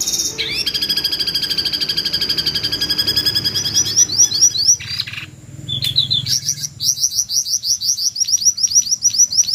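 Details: Jongkangan screech recorded as training material for white-rumped shamas: rapid, high, shrill repeated notes with a sustained piercing tone early on, then brief breaks followed by fast, sharply rising chirps.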